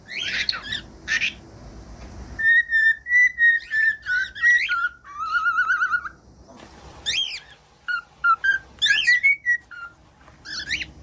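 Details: Cockatiel song for training chicks and quiet birds: opening harsh chirps, then a flowing series of whistled notes, followed by alternating scratchy squeaks and short whistles.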